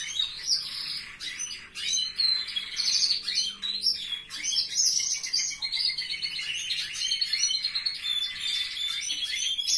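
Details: Canaries in a relative's aviary, captive birds: a busy chorus of high twittering, rolling trills and sharp chirps overlapping continuously, with a faint low hum beneath.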